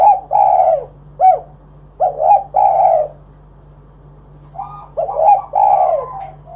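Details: Spotted dove in lively kuk 1 song, meant to draw other doves into singing: repeated phrases of short rising coos leading to a long, drawn-out coo, with a longer gap midway and a soft hum throughout.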